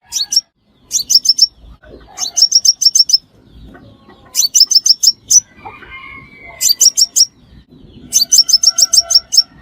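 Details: Crimson sunbird calls used as a trapping lure in Vietnam: bursts of five to eight sharp, high ticking notes, each burst about half a second long, repeated every two seconds or so, with faint lower chirps and soft rustling between.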